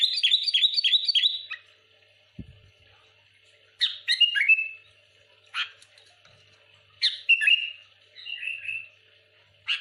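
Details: Sooty-headed bulbul in dense song, pressuring rivals. A fast burst of repeated bright notes opens, then several short bubbly whistled phrases follow, with one dull knock partway through.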